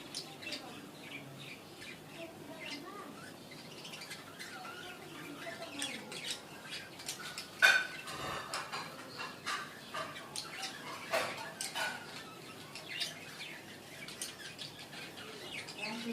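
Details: Breeding budgerigars during a love moment chatter in quick, scratchy chirps and squeaks, with one sharp squawk standing out.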